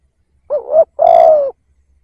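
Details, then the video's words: A single decoy spotted dove phrase: a dipping then rising lead note, a brief pause, then a sustained, slightly descending mellow coo lasting about half a second. "Tiếng Cu Gáy / chim cu gáy kích bổi nhanh nổi / Cu gáy / Chim cu gáy mồi / cu mồi"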